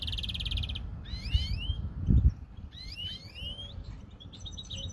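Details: European greenfinch: a brief rapid trill followed by paired upward-swooping whistles, a loud low knock in the middle, then softer twittering notes as the phrase fades.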